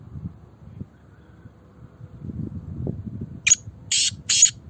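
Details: Black francolin, a kept bird of good breed: three loud harsh rasping notes near the end, the first short and the next two longer, after low rumbling handling noise.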